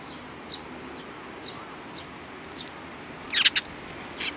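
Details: Sparrows giving high, sharp chirps: a quick cluster of three or four bright notes near the end, then one more, with faint scattered chirps and steady background hiss.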